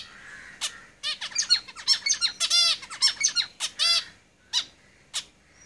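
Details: Song of caged zebra finches: a quick, chattering run of buzzy, harmonic syllables and sharp downswept notes lasting about three seconds, bracketed by single nasal calls.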